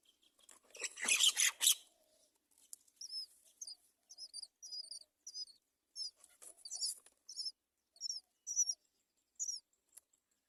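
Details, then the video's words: Baby mynas competing for food from their mother: a loud harsh burst of noise, then a rapid run of high, thin, squeaky double chirps, roughly two each second. "Baby myna birds compete for food from their mothers."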